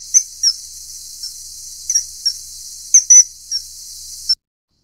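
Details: A Common kingfisher feeding a juvenile gives short, shrill, high whistles, about ten in four seconds, some doubled, spaced irregularly over a steady high hiss.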